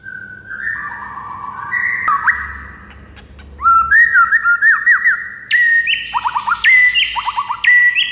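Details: White-rumped shama singing in the morning, used as a model for teaching other birds. Clear, mid-pitched whistles give way to quick swooping, upslurred notes repeated in fast runs, over a steady low background hum.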